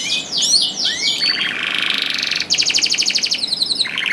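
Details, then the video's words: Caged canary singing to stimulate silent canaries: looping whistled sweeps, then a long buzzy rolling trill and a rapid clicking rattle, over faint background hiss. "KENARI GACOR DOR INI MEMANCING KENARI YANG SUSAH BUNYI JADI IKUT GACOR"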